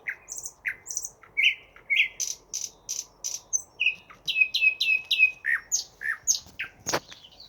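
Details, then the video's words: Unidentified bird singing a varied song of short chirps, rising whistles and quick repeated high notes in a steady rhythm of roughly two per second, with one sharp click near the end and a soft hum behind. "Неизвестная птица красиво поет"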